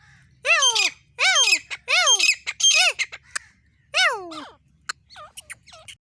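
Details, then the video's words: Grey francolin female from India calling without pause: a series of harsh, down-arching squawky notes about once a second, trailing into softer clipped notes, with faint low background rumble. "teeter sound teeter Shikar non stop calling female sound of India"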